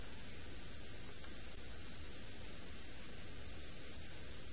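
Steady loud hiss of static noise with a faint hum, and no animal voices heard.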